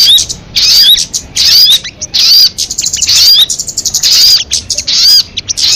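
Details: Harsh chattering bursts from a crested jay, each mixing buzzy rattles with bright upward-sliding whistles, repeated in about five phrases separated by short pauses.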